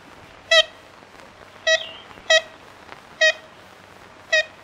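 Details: Five brief, nasal, horn-like notes from an ivory-billed woodpecker, evenly spaced roughly a second apart, each bright and reedy, over a quiet hissing background.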